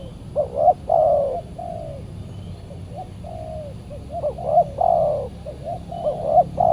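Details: Very aggressive spotted dove reacting to a decoy during Saturday bird trapping; bursts of short rising coos with drawn-out tones, a quieter stretch in the middle, then the phrase again.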